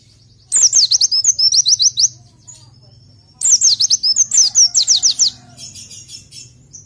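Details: Tutor recording for white-eyes: two energetic phrases of fast, high, falling slurred notes repeated in quick succession, followed by a softer high rustling sound.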